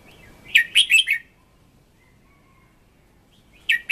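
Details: Red-whiskered bulbul, a decoy bird, sings a fiery song for voice training. A quick burst of three or four bright, warbled notes comes near the start, then a long silence, and a new phrase begins at the end.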